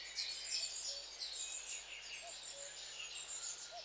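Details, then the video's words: A charm of long-tailed tits calling: thin, very high twittering and chirping notes overlap almost continuously in a soft shimmering chatter, with a few faint low tonal blips beneath. "Charm of LongTailed Tits(Aegithalos Cauda)of Mesmerizing Sound Effects"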